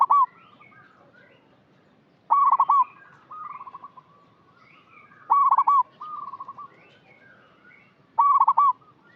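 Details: Zebra dove used as a lure for trapping, giving loud, rolling, bubbling coos about every three seconds, each bright trilled burst followed by a fainter stuttered coo, with softer doves calling behind.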